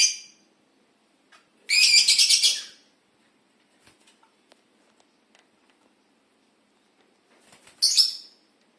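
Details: Lovebird calling from an aviary; a harsh, rapidly pulsed screech lasting about a second, then quiet with faint clicks, and another short shrill burst near the end.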